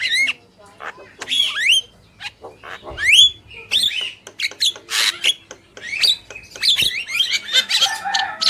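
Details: Energetic song from a male and female Javan myna: sharp upswept whistles and squeaks alternate with grating rasps and chatter, phrases coming irregularly and fast.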